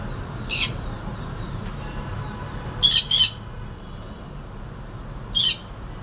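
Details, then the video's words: Pet conure, newly joined the family, giving short loud harsh squawks: one near the start, a quick double burst in the middle, and one more near the end, over a low indoor background hum. "Meet My Noisy Little Conure"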